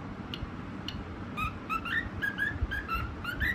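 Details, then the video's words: A white cockatiel starts with a couple of soft isolated chirps, then sings an accelerating string of whistled notes, several sliding upward, over faint low-pitched room noise. "Cute bird 🦢 singing video white parrot 🦜 cocktail"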